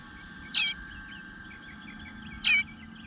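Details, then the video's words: Hungry eastern bluebird nestling in a nest, 25 June 2022, 9:10 am: two short hoarse squeaks about two seconds apart, with distant warbling birdsong faintly in the background. "Eastern Bluebird Nest - Nestling Begging for Food"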